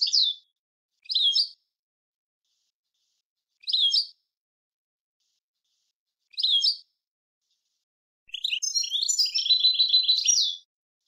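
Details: European goldfinch song recorded clean for teaching other birds: short twittering notes at intervals, then a longer buzzy, rattling phrase near the end, against a silent background.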